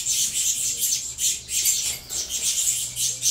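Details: Captive saffron finch chicks, a cross of Venezuela CMA and CVK 103 lines, begging while being fed: harsh, hissing high squawks in rapid uneven bursts, near-continuous, with a faint low hum underneath.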